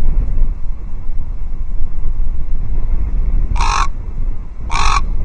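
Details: At an osprey nest at Loch Arkaig, 12 October 2023, a common raven warns off a second raven with strange clucks: two coarse, throaty calls about a second apart following several seconds of low wind-like rumbling.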